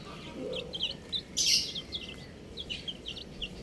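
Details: Buff chicks give sharp, high chirps in quick bursts, with one brief louder rustling burst partway through and a low hum behind.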